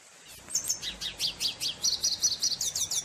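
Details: Singing red siskin, or cardenalito, delivering a rapid series of high, thin chirps that turn into repeated ringing, slurred notes, evenly spaced, over faint low background noise.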